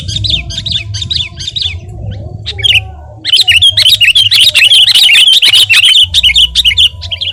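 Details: Sooty-headed bulbul singing gacor, a recording for tutoring and provoking other birds: a few short whistled phrases, a pause, then a long fast chatter of looping, warbled whistles over a low background hum.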